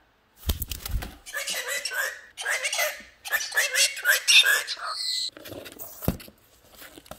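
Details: A pet male galah cockatoo, angry after his box was taken away, chatters in rapid, raspy, speech-like bursts, mimicked words tumbling out in a three-minute rant, with a soft thump near the end.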